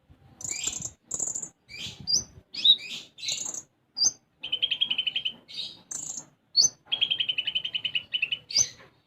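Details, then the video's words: Konin, a sunbird, singing lively gacor song with isian gereja phrases. Varied phrases follow one another: very high buzzy notes, sharp upslurred chips and two fast even trills of rapid pulses, separated by short pauses. "Konin Gacor Isian Gereja"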